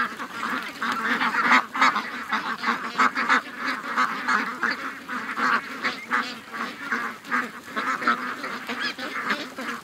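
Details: Morning rush of 700-plus ducks and geese to the lake, August 6th, 2015; a continuous noisy chatter of quacks and honks, steady in loudness, with individual calls blurring together.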